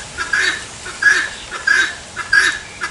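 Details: A helmeted guineafowl (Numida meleagris) gives its 'tô fraco' call, a harsh, grating two-note call repeated about every 0.7 seconds, five times in steady rhythm, over faint background hiss.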